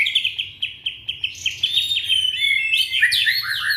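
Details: Indonesian young white-rumped shama singing to prompt silent shamas: a rapid series of short sharp chirps, about three per second, breaking into tumbling, higher, varied whistles.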